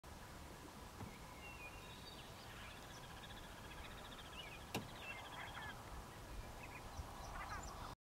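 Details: Upland Sandpiper chatter call NE of Silton, Saskatchewan, at 8:18 a.m. on 25 April 2020: a faint, rapid chatter of high, pulsing notes lasting a few seconds, over low wind rumble with one sharp click.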